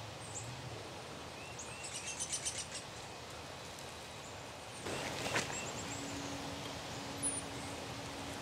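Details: Black-capped chickadee uttering a quick run of about five buzzy 'dee' notes around the second second, followed by a broad rustling noise burst and a faint steady low hum.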